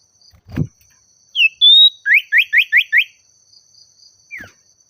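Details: Agitated Oriental magpie-robin (sirtu or cipoh) calling a rival: a falling note and a long steady whistle, then five rapid downslurred notes, a thump before and a lone falling note after.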